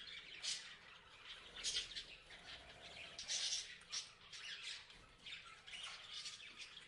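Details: Parrots chirping, with harsh, scratchy squawks and chirps coming in bursts about every second or so. The sound is fairly quiet and has a noisy, chattering texture.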